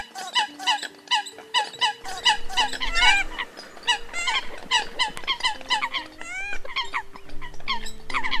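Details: Several Eurasian coots give loud, nasal, clipped notes several times a second, overlapping, over steady low tones. These are competitive calls from the 2020 migration season, used to lure migrating birds.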